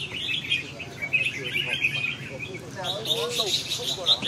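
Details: Red-whiskered bulbul: bright chirps and short warbled phrases high in pitch, densely overlapping as if several birds sing at once, with lower harmonic voice-like sounds in the second half.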